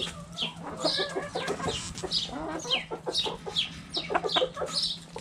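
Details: Backyard hens around a cabbage: a dense mix of short, nasal clucks and high, sliding chirps, with steady low background hum.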